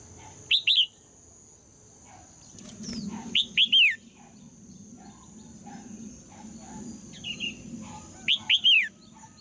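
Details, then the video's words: A red-whiskered bulbul female sings to provoke males into strong song. Crisp three-note whistled phrases come about three times over nine seconds, each ending in a falling slur. Between them are faint chirps and soft rustling, with a steady high tone behind. "นกหัวจุก birds - เพลงนกตัวเมียเพราะดี ชวนให้นกตัวผู้ร้องอย่างแรง"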